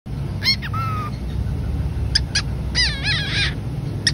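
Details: Two pet cockatiels calling to each other when far apart: bursts of harsh, warbling calls with bright wavering overtones, a short level whistled note, and a steady low hum underneath.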